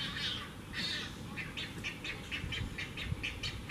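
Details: Great egret fledglings begging as their mother feeds them give harsh, rapid clacking notes, about four a second, over a low rumble of wind or distant traffic; Audubon Swamp Garden, Charleston, South Carolina, May 13, 2018.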